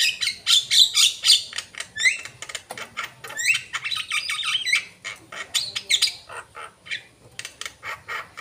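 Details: Asian pied starling in full song: a rapid jumble of harsh chattering notes, squeaky whistles and rising slurred phrases, delivered almost without pause.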